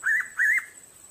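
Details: Hooded pitta near Bogor gives two clear, slightly rising whistled notes in quick succession, over a faint high insect hiss.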